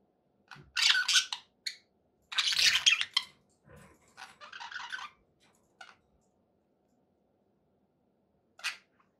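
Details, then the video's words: Pet budgerigars said to be happy, indoors, giving a few loud harsh chirp bursts and a softer scratchy phrase, followed by near silence and one last squeak. "happy budgie sounds"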